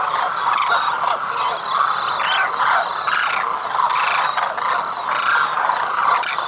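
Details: Demoiselle cranes wintering in Khichan village, Rajasthan, India: a steady din of rolling, nasal trumpeting calls from a large flock, with individual rising notes surfacing every second or so.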